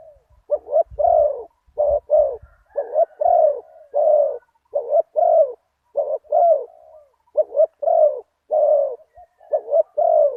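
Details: Deep-voiced one-kuk spotted dove used in decoy luring of a target bird at spot 37: continuous paired coos, husky and mid-pitched, repeated about every second for ten seconds. Low rumbles are heard at the start.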